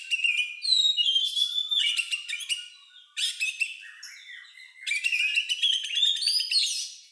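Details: Unusual Oriental magpie-robin song, likened to a lovebird's and used to draw out singing in other birds: varied chattering and whistled phrases in three long bursts, with rising sweeps and buzzy trills.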